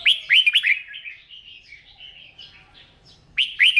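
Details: Red-whiskered bulbul kept for song training, singing in the morning; a bright, rapid phrase of three looping whistled notes opens, fades into soft warbling, then the strong phrase returns at the end.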